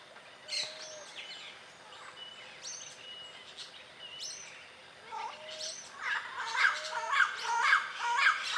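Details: Yellow-naped Parrots (Amazona auropalliata) calling among foliage in Costa Rica's dry forest give harsh, raspy squawks about every second or two, growing louder and busier toward the end, with soft whistles from other birds behind.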